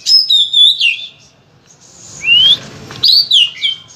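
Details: Oriental magpie-robin, kept as a song bird, giving a few bright whistled phrases, one long rising slide and quick slurred notes, separated by a quiet gap of about a second.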